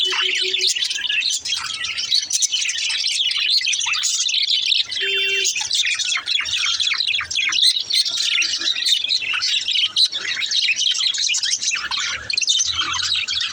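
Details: Long, unbroken run of baby budgerigar singing: busy high chirps, scratchy warbles and occasional squawks from several birds chattering together.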